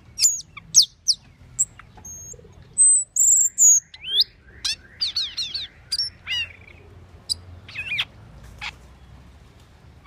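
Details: Asian glossy starling (Aplonis panayensis) giving a loose series of sharp, high whistled chirps and squeaky notes, some rising or falling steeply, with brief louder squeals near the middle and quieter twitters after.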